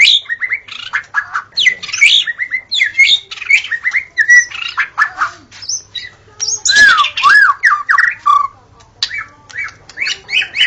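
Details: Continuous dawn singing by a white-rumped shama, mixing scratchy rapid notes, looping whistled slurs and brief harsh bursts, the phrasing constantly varied.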